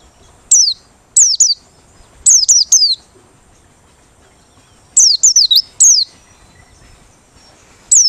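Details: White-eye of the Merapi 'ngalas' type, singing open-beaked as a lure bird: clean, very high falling whistles in groups of two to four, with quiet gaps of up to two seconds between groups.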